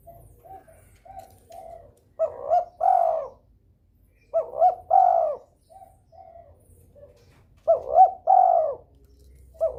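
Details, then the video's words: Spotted dove calling in breeding mood to make rival doves call too. Three phrases, each two quick coos and a long falling croon, come about every three seconds over quieter coos from another bird. "DERKUKU birahi gacor merangsang lawan ikut bunyi"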